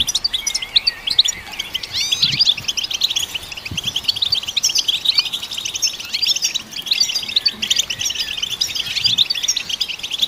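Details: Long, dense European goldfinch twittering meant to stimulate caged goldfinches, a continuous jumble of chirps, trills and slurred whistles with little pause.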